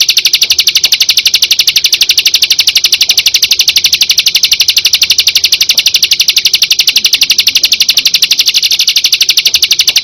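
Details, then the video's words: Perenjak, the prinia, giving a long steady trill of rapid, regular, high-pitched ticking notes that holds the same pitch without a break, from a tembakan combination sound for training songbirds. "Tembakan Burung perenjak|suara kombinasi"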